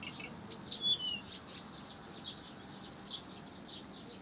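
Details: Singing Blyth's reed warbler in Pavlodar: a few loud, emphatic chirped notes in quick succession, a short pause, then more bright chips and a soft whistle over a quiet hiss.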